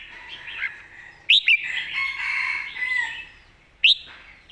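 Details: Red-whiskered bulbul in master-song (mae bot) style: sharp, loud rising whistled notes near 1.3 and 3.9 seconds over a dense, steady chorus of other birdsong.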